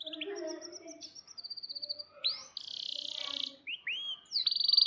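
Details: Canary singing a long rolling song meant to coach young birds and silent canaries: varied phrases of fast pulsed trills, a loud sustained buzzy roll, then quick rising and falling whistled slurs, with a few low soft notes.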